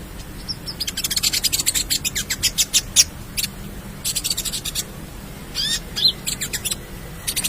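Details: Gacor konin, the ruby-cheeked sunbird, with full isian used for tutoring birds: bursts of fast, dry clicking notes in rapid runs, broken by short pauses and a few swept chirps.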